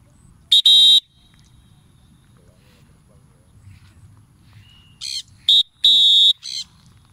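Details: Harsh, loud screeching bursts from a free-flying Triton cockatoo, one near the start and a cluster of three or four later, separated by quiet stretches; faint human voices around.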